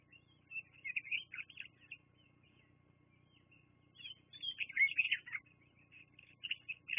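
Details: Bald eagles at Fraser Point, watched by a live nest camera on 24 September 2022 around 12:14, utter high, thin twittering calls in two loose bursts, with a lull between and scattered chirps at the end.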